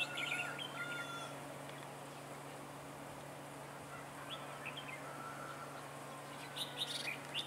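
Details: Red-whiskered bulbul used as a decoy during bird trapping on 15 March 2018, singing a fighting song: bright chirped phrases at the start, quieter scattered notes, then a louder burst of twittering near the end over steady low hum.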